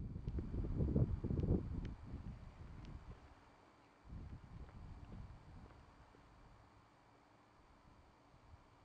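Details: Low wind rumble buffets the microphone in bursts during the first seconds, then settles to a faint hiss with a few light ticks.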